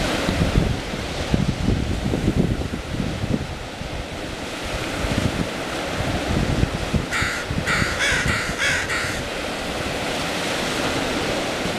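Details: A big, bossy crow that flew into a beach feeding spot announces its dominance with a burst of five harsh, rapid caws midway. Crashing surf and wind roar throughout.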